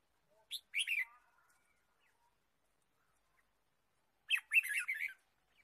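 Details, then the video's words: Red-whiskered bulbul in a forest where birds are being trapped, 23 March 2017: two short bursts of bright, tumbling chirps several seconds apart, otherwise quiet. "Red-whiskered bulbul Chirping"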